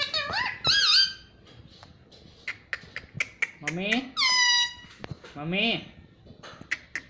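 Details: Talking pet ringneck parrot in a small room repeating "mummy papa"; clipped nasal syllables, a long flat harmonic note, and descending chirped phrases, separated by clicks and brief pauses.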